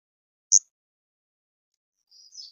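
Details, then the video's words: European robin giving thin, very high notes: one sharp note, a pause, then a faint wavering high phrase trailing off. "Robin Redbreast"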